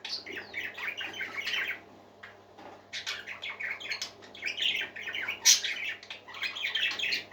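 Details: Indoor pet parakeets keep up a steady stream of scratchy chirps and warbles, a quieter gap near two seconds, then renewed chatter with one piercing squeak; a low hum runs throughout.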